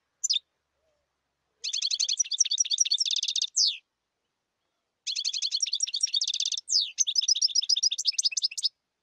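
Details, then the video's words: Singing goldfinch with a lone short chirp, then two extended phrases of rapid tinkling twitters, each broken by a descending slurred note, high and liquid over a silent background. "تغريد حسون جاهز"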